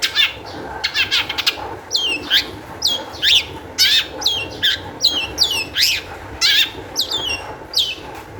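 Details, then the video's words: Long-tailed shrike in high-emotion full song, played to make other shrikes sing: a rapid rattle, then harsh scratchy phrases repeated roughly every half second, each with a rasping downslur. "cendet gacor EMOSI TINGGI cocok untuk PANCINGAN CENDET AGAR BUNYI"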